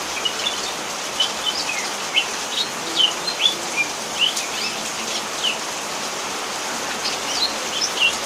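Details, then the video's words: Banyuwangi greater green leafbird chattering in rain, giving short sharp whistled notes and quick slurred chirps at irregular intervals, roughly two or three a second at times, against constant rain hiss. "Kocehan cucak hijau ketika hujan"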